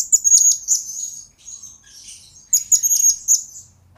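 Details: Blue-crowned hanging parrot in a training and lure recording, giving two rapid bursts of piercing, high chirps with stuttering notes, a softer scratchy murmur between them.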